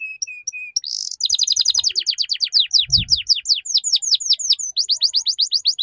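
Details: Canary lure song for young birds learning ngeriwik: a few thin whistles, a buzzy burst, then a long rapid series of crisp falling chirps with a soft low thump midway.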